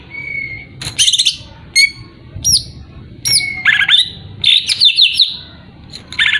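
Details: Greater green leafbird singing to provoke a rival: a long thin whistle, then bursts of harsh chatter, clear upslurred and downslurred whistles and rapid warbling phrases, separated by brief gaps.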